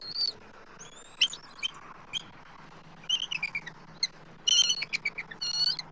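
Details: Eagles at their Southwest Florida nest tree, 12 March 2024, both adults calling as an immature eagle circles; scattered high thin whistles and chitters build into denser harmonic bursts near the end over a steady low hum.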